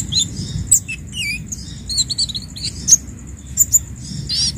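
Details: Orange-headed thrush song played for training captive birds: varied high whistles, short chirps and trills in quick irregular phrases, with a steady high tone and low rumbling hum beneath.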